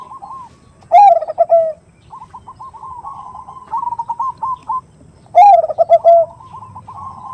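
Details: Zebra dove (perkutut) giving a big-voiced 'khung' lure song, described as a female calling a male: two loud, hoarse, falling coos, each with rapid stuttering notes, separated by a softer run of quick bubbling notes.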